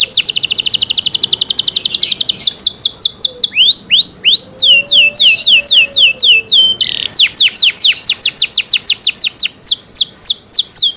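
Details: Canary singing in cenkok style, clear and loud: rapid repeated high trills, then a run of downward-sweeping whistled notes, then fast trills again, with a faint low drawn-out whistle behind.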